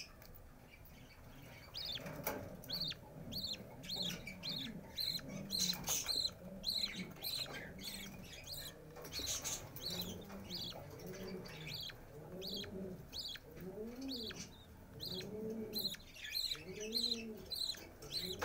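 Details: Budgerigars, likely a female caring for her young, give fast, high, scratchy chirps over softer, lower warbling notes.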